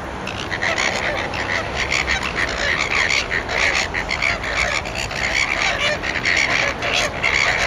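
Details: About thirty Greater Flamingos in winter courtship display at a Natura 2000 site in Palavas-les-Flots, France, keep up a steady, goose-like honking and gabbling of many overlapping nasal calls.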